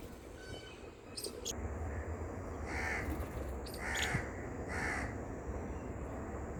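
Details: House crow outdoors giving three separate harsh caws spaced about a second apart, with a couple of brief high chirps from another bird early on and constant low background noise.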